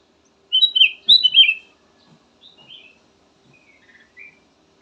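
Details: Golden bulbul, known locally as kutilang emas, sings a loud phrase of quick, fluty, downslurred whistles. Softer, scattered chirps and short whistles trail off afterwards.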